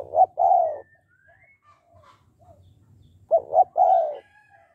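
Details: Spotted dove in 'hạp bổi' style, meant to prompt males to call fast: two phrases, each two short coos and a longer descending coo, about three seconds apart, with faint whistled bird notes and low hum between.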